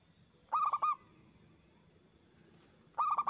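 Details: Local zebra dove lure song to make other doves sing in reply: two short bursts of four rapid, ringing coo notes, separated by about two and a half seconds of low background noise.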